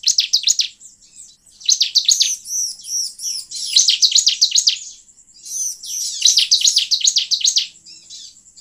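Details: Bar-winged prinia song as a lure for wild birds, with bursts of rapid high-pitched chirping alternating with looping whistled phrases, each burst lasting about a second and repeating steadily.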